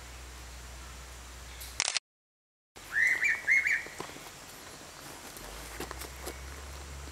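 A rainbow pitta gives a quick run of clear, mid-pitched whistles, each briefly rising then falling.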